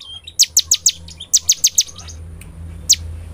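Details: Bar-winged prinia in loud, constant song, used as a lure to make prinias sing: two quick groups of four sharp high downslurred notes, then a lone note after a pause, over a low hum.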